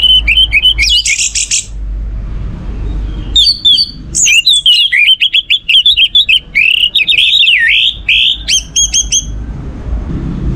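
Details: An orange-headed thrush sings to stimulate other songbirds: energetic, continuous warbling with rapid varied whistles, trills and high squeaky notes, broken by short pauses, over ten seconds.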